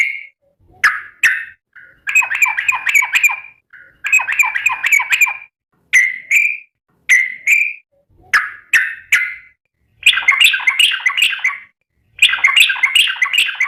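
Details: Sooty-headed bulbul calling to its companions: bubbly, warbling phrases of quick liquid notes, each burst lasting about a second, broken by short silences and repeated throughout.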